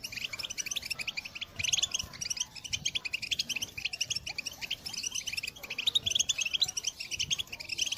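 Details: A European goldfinch's call song, recorded in 2022 to motivate other birds; quieter, steady stream of rapid chips and tinkling twitters, with short louder flourishes, over a faint background hiss.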